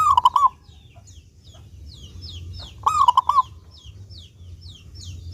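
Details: Local zebra dove in full, clear song, meant to lure doves into singing: two short bursts of three or four ringing coos about three seconds apart, with faint twittering of small birds behind.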